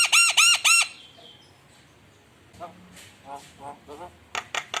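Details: ['Javan myna lure song to provoke opponents: three loud, ringing, arched whistled notes, a quiet pause with background hiss, soft nasal notes, and then three sharp rasping calls.']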